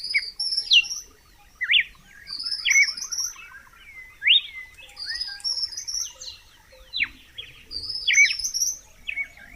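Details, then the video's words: Clear whistled song of a red-cowled cardinal, phrases of swooping notes repeated every second or two, with fainter high trills layered above. "Som limpo do canto🎵 do Cardeal do Nordeste"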